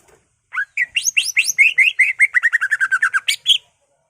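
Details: Greater green leafbird singing a full mimicry-filled song to provoke other leafbirds, a rapid run of about twenty short whistled and chirped notes, some sweeping up steeply, then descending slurred whistles, ending with a sharp upslurred note.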